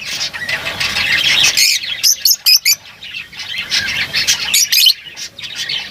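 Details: Lovebirds calling: continuous high scratchy twittering broken by a cluster of sharp piercing squawks, several birds overlapping.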